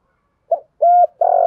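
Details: Spotted dove calling to lure wild birds: a short soft note, a clear level coo, then the start of a long buzzy coo that is cut off abruptly.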